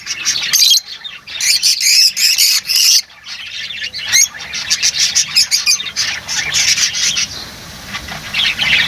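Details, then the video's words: A group of lovebirds keeps up loud, shrill twittering, with rapid clicking chirps and harsh squawks running almost without a break. "Huni ng Lovebirds | Love birds Singing [ Call Sound ]"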